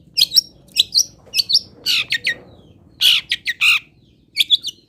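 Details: Long-tailed shrike (cendet) local-style song mixing high squeaky chips with harsher rasping notes in uneven bursts, some notes repeated in pairs, clear and close over a quiet low hum.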